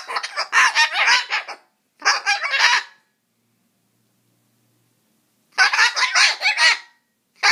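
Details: A cockatoo grumbles as it tries to chase off a mosquito, giving rough, gravelly bursts of chattering squawks separated by long silent gaps.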